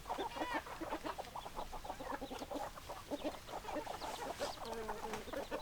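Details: A flock of chickens clucks steadily, with rapid overlapping notes forming a continuous murmur and a few longer, smoother notes near the end.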